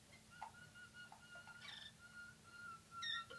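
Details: Harzer Roller canaries, a team of four birds about six months old, singing in training for a song competition; clear whistled notes held near one pitch, flute-like, with short higher chirps and brief bell-like touches near the end.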